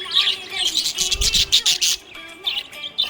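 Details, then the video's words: Happy budgerigar giving rapid high chirps and chattering bursts, with a loud noisy burst in the middle and faint music underneath. "Happy budgie chirping sound"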